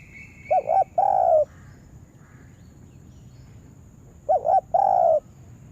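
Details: Spotted dove kept as a trapping lure gives two coo phrases nearly four seconds apart, each a quick looping double note followed by a sustained purring coo.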